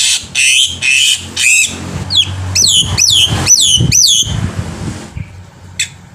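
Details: Loud song from a black-winged myna meant to lure birds to sing: three drawn-out harsh screeches followed by a series of sharp down-slurred whistles, ending in a faint trailing rasp.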